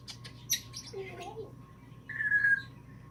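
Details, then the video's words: Female pet African grey parrot indoors, known for imitating sneezing, laughter and a messenger ring tone; a brief wavering low warble, then a clear sustained whistled tone lasting about half a second, with a faint steady hum beneath. "Sneezing laughter messenger ring & more"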